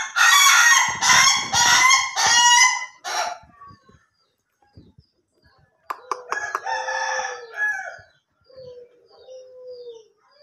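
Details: Ayam Ketawa chicken crowing: a loud series of harsh, stuttering, laughter-like bursts for three seconds, then a pause and a second, softer drawn-out crow ending in a thin trailing note.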